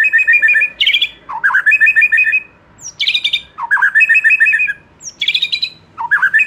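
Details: A young wild-caught white-rumped shama, moulting out of its spotted juvenile plumage, sings loud, rich phrases of fluty whistles and chattering trills, some with sharp high notes, repeated about every two seconds.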